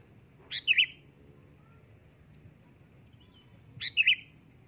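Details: Sooty-headed bulbul calls loudly twice, about 3.3 seconds apart, each a snappy rising note running into a bubbly double chirp. A soft low hum and faint high thin tone are also heard.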